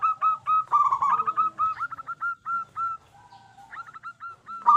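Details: Loud local zebra dove song used as a lure to make other zebra doves sing; quick staccato coos about four per second, a trilled rolling burst early, and a brief quieter gap near the end.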